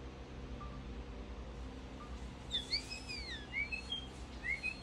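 Common starling song slowed down: long, sliding whistles that swoop up and down in the second half, over a steady low hum.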